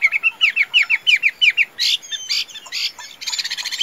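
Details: Caged Chinese hwamei, tame and a good fighting singer, repeating paired descending whistled notes rapidly, then harsher buzzy bursts and a high scratchy trill.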